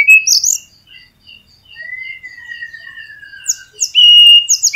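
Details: Flycatcher singing as a lure for quiet caged birds: short high pips, then a long clear whistle gliding slowly downward, ending in loud, bright upswept notes.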